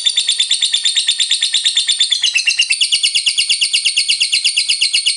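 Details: Lovebird ngekek panjang, a long continuous trill meant to provoke rival lovebirds into singing: rapid harsh high chattering notes pulsing about three per second, unbroken for the whole stretch, shifting pitch slightly midway.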